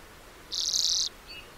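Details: Lesser redpoll giving one high, dry buzz of about half a second, followed by faint thin notes.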